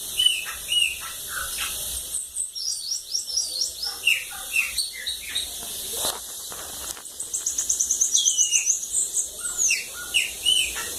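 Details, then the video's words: Bananaquit, song style cachorro loco da lagoa d'água: thin high twitters and falling chips, a pause, then an accelerating very high trill of quick notes and more sharp chirps over steady hiss. "Sibite cachorro loco da lagoa d'água"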